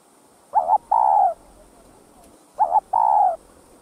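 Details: Spotted dove calling to stir other doves into answering. A quick double note runs straight into a longer, steady hoarse coo. The phrase comes twice, about two seconds apart, over a faint background hiss.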